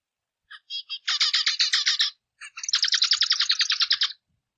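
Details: A zebra finch sings its variable song: several faint introductory notes leading into a dense, buzzy burst of harmonic syllables, brief silence, then a rapid train of repeated rasping notes about a dozen long.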